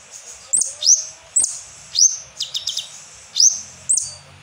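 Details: Shrill upslurred whistles from an Asian glossy starling lure song with kapas tembak material. About five strong notes are separated by a short run of fast clicks, with brief gaps and a faint low murmur.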